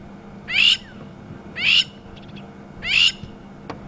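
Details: At sunset on a safari drive, 8 July 2015, a Crowned Lapwing upset by nearby people gives three loud, harsh, high shrieking distress calls about a second apart, likely warning its cryptically camouflaged chicks to hide; faint low hum.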